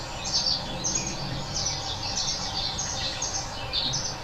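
Red-winged Blackbird giving short, sharp, high notes in quick succession, roughly two a second, over a steady background hiss.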